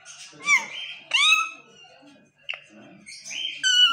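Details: Chattering pet parrot attempting speech: a few drawn-out, nasal, harmonic squawks that slide upward then level off, separated by soft mumbling and a brief gap, ending on a strong steady tone.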